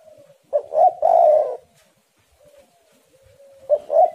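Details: Low hollow cooing of a spotted dove (tekukur): two brief rising notes, a sustained rolled coo, a faint soft tone during the gap, then another phrase starting.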